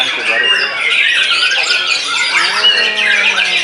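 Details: Post-moult white-rumped shama singing in a frenzy: busy torrent of squawks, short whistles and chattering trills, a few longer slurred notes rising above the dense mix.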